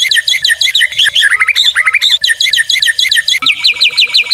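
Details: Tutor and lure song of a white-rumped shama (murai batu): quick, bright, high chirping notes in shifting runs, with a lower rising trill in the middle and a sharp click near the end.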